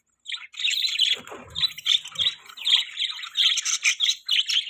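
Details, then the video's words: Budgies chattering almost without pause, a steady stream of high, rasping chirps and squeaky warbles that pulse in quick bursts, with faint low knocks near the start. "Beautiful Budgies Chirping Sounds|Budgie Chirping Sounds|Budgies parrot sound"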